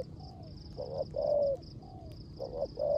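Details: Rước gù coos of a caged spotted dove decoy in the rain: soft faint notes, then a stuttered pair and a longer full coo, repeated once more, with steady high pulsed chirping behind.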